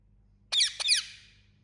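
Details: Two quick shrill squawks from a pet Indian ringneck, rough and high-pitched with falling tails, delivered almost back to back in a quiet room.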